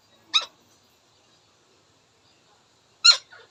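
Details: Indian ringneck parakeet: two short, rasping squawks about three seconds apart, the second followed by a softer note, in otherwise silent surroundings.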